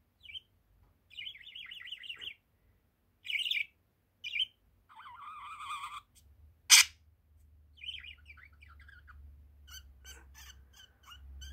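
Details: One-year-old male budgerigar chatters in short, scratchy warbled bursts, mixing high chirps and rolling trills with brief pauses, plus one sharp click midway.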